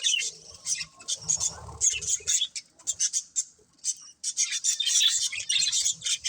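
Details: Breeding pair of pet budgerigars chirping: bursts of high, scratchy twitters and short squawks with brief pauses, plus a faint low rumble and soft warbling chatter underneath.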